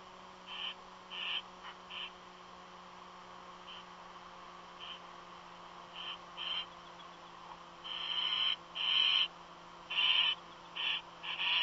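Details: Strange calls from a bird's nest, not an eagle: short hoarse hissing bursts, sparse at first and then bunching into a louder, faster run near the end, with a background hum.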